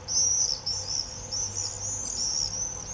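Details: Common swifts in an early July 2018 screaming frenzy, an unbroken stream of shrill, high, trilling screams from overlapping birds, with a low hum underneath.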